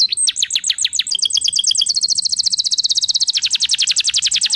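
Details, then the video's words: Canary singing to prompt other canaries: quick chattering notes leading into a long, very rapid high trill of evenly repeated pulses that runs to the end. "PANCINGAN SUARA BURUNG KENARI GACOR BONGKAR ISIAN"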